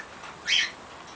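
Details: Short-billed corella, a caged pet parrot working at a foraging wheel toy, lets out a single short, harsh, grating squawk against a low steady hum.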